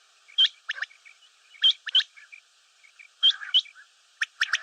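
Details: Common quail giving sharp hooked whistled notes in close pairs, separated by short pauses and fainter chips, ending with a quick cluster of clicking high notes.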